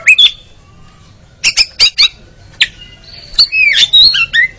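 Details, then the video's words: Kacer, the Oriental magpie-robin, in a ngeriwik training recording for caged birds: sharp isolated chips, then a twittering run of slurred whistles near the end. "TERAPI KACER ANTI LEMOT MENTAL JUARA LANGSUNG NGERIWIK"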